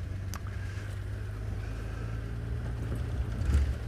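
Low, steady engine rumble of a vehicle idling outdoors during a sunrise safari drive, with a few faint clicks and no animal voices.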